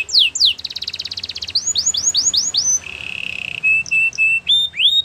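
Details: Belgian canary song used for training, a varied sequence: two downslurred whistles, a rapid buzzy trill, rising chirps, a steady low rattle, then clipped pure whistles and upward-sweeping notes.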